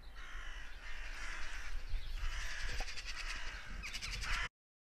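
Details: Garden warbler singing from deep within a hedgerow, recorded on a Sound Devices MixPre 6 II with a Telinga parabola: rapid, sweet warbling chatter of high twittering notes, with short gaps between phrases.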